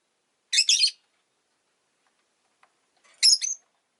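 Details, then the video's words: Two harsh, high double chirps from a pet rosy-faced lovebird, nearly three seconds apart, the second ending in a thin whistled tail. "Lovebird Chirping Sounds"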